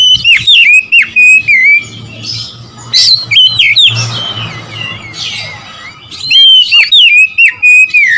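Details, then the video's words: Oriental magpie-robin song aimed at rival birds: bright whistled phrases rising and falling, broken by quieter stretches with softer chatter, then another loud run of quick varied whistles. "memancing emosi Kacer lawan"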